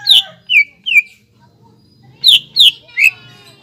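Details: Lively greater green leafbird song meant to rouse other leafbirds: three sharp descending whistles, a short gap, then three more ringing downslurred notes, with faint low background hum.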